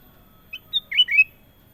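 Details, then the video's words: Sooty-headed bulbul delivering one quick melodious phrase: a faint opening note, a pure whistle, then two rolling, slurred notes that dip and rise, in a quiet setting. "KUTILANG EMAS PALING MERDU! Suara Gacor Panjang"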